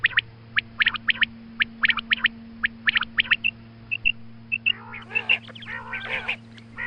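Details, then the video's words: Female quail morning calls for hunting: a quick series of crisp, high clicks in pairs and triplets, then a busier passage of rough nasal squawks mixed with clicks, with a low hum throughout. "Female Quail Calling Suba Lagty waqte Ki Awaz Female Batair Calling"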